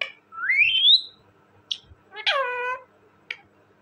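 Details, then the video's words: Talking parrot: a clear whistle gliding upward, a short click, then a harsh falling squawk with rich harmonics and another brief click. "talking parrot bird,parrot ki awazz"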